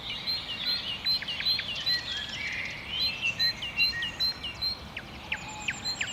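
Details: At sunrise in 2012, a great tit sings to defend its territory in a wooded park in Saint-Brieuc, France: rapid repeated high whistled notes for several seconds, then other birds' sharp chirps and twitters take over.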